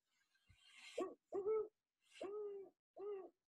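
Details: Great Horned Owl giving four deep, mellow hoots over about three seconds, like a French horn and matching the rhythm "who's asleep, me too", a short first note then three longer, even ones; richer and more muted than a barred owl.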